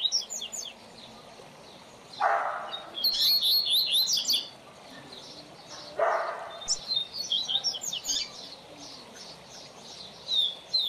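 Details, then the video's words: Double-collared seedeater singing as a teacher for training young birds: high twittering, slurred phrases broken by two short bursts of broad rustling noise, then scattered high notes. "Coleiro Professor Aprendizado"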